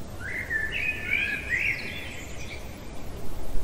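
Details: Common blackbird singing in the middle of the night: a single long fluted warbling phrase around mid pitch, rising into brighter twittering notes before fading, over a steady low background rumble.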